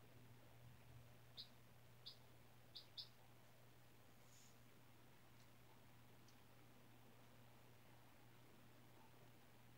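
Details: Four-day-old domestic chick, hatched from a white egg in a classroom incubator and kept indoors on new bedding; four quick high peeps in the first three seconds, then near silence with a low steady hum.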